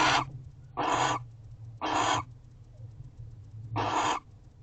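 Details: Barn owls at an owl box, guarding the house before dawn, 5:41 am, 12/1/23: four raspy, hissing screeches, each about half a second, spaced about a second apart, with a low background hum between them.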